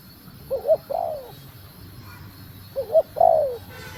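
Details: Female spotted dove urging on the male: two phrases, each a stuttering double lead note then a long, smoothly descending coo, separated by quiet gap over low hum.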